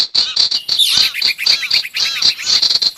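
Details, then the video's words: Sirtu lure recording for catching wild birds, a brief stretch of quick, rasping chatter, notes repeated several times a second with overlapping buzzy, curved calls. "Suara pikat burung sirtu dijamin ampuh!! audio pikat burung sirtu anti zonk"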